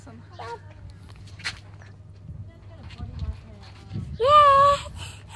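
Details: A talking cockatoo at Agnes Banks, NSW, Australia, gives a loud, shrill, voice-like 'hello' that rises and then holds steady for half a second, after quieter human speech and footsteps.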